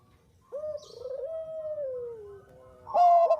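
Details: Zebra dove of Bangkok type cooing in a lure recording. A long, smooth, gently falling rolled coo lasts nearly two seconds, followed by a loud abrupt burst of harsh clipped notes.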